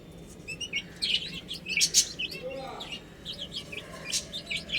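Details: Chicks feeding and drinking, chirping with bright, quick, downward-curving peeps in loose clusters, a few louder sharper notes near the middle, over a low continuous background hum.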